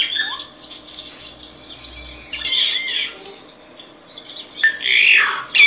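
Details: Solitary cacique song, softer overall: a thin downslurred note, a quiet buzzy stretch, a harsh mid-clip phrase and a loud ringing squawk near the end.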